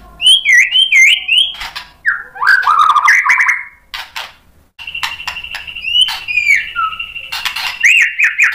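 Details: Provocation song of a white-rumped shama meant to stir other shamas to reply with their mimicked repertoire; crisp looping whistles, fast chattering trills and one long steady high whistle, separated by short pauses.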